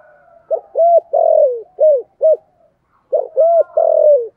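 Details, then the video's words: Vietnamese 'giọng thổ' spotted dove coo, used to call wild doves in quickly: a full phrase of short hollow notes around one long sliding coo, ending in two clipped coos, then the next phrase begins after a short gap. "cu gay giong tho cuc dinh/ mở lên bổi nghe nhanh về cội"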